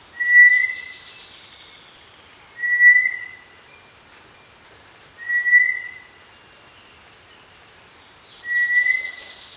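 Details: Small dark tinamou from dense undergrowth of tropical lowland rainforest repeats a short, even-pitched whistle four times at intervals of about 2.5 to 3 seconds, with faint high background hiss.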